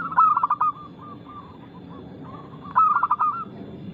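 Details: Loud, fast local zebra dove song, meant as a lure to make other doves sing. Two bursts of rapid, stammering coos about two and a half seconds apart, with softer cooing in between.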